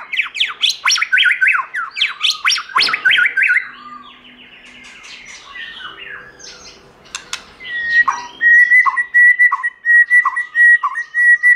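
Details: White-rumped shama wild-type song: a dense burst of varied chirping notes, a quieter pause, then a sustained buzzy level trill broken by short dipping notes.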